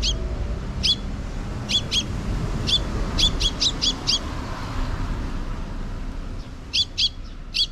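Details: Sparrows in a park on 12 June 2023, a young chick following a parent that scouts ahead for safety; sharp high chirps come singly and in quick clusters, with a low background rumble.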